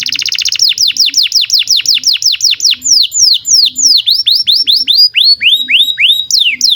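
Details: Long-singing canary, recorded as a training song for young birds and those that have stopped singing: a quick buzzy opening, then a steady run of clear downward-sweeping whistles, about three per second.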